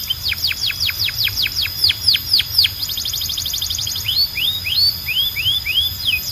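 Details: Nonstop canary song, loud and clear: a rapid series of steep falling whistles, a short fast trill, then slower rising whistled notes spaced about half a second apart.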